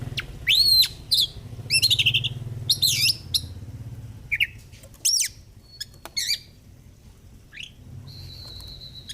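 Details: Oriental magpie-robin in 'gacor fighter' style song, meant to coax silent birds into singing: loud chirped and warbled phrases early, then sparser sharp notes and a thin flat whistle, over a steady low droning hum.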